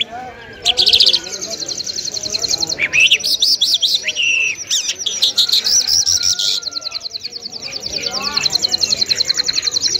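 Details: Lark, locally called lunda jal, singing: rapid buzzy high trills in long runs of evenly repeated notes, broken by sharp chirps and short rising whistles.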